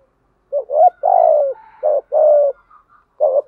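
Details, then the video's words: Spotted dove cooing, male and female, played to make wild-caught doves call: repeated low hooting phrases of a short note and a longer coo, almost one per second, with faint higher tonal notes from another bird behind. "tiếng chim cu gáy kích bổi giọng bài bản. giúp bổi xiêng gáy và nổi rất nhanh"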